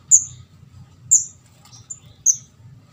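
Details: Juvenile orange-headed thrush (kemade jawa) whose calls serve as a lure for catching birds: three shrill high squeaks with a fainter chirp between, over a low hum.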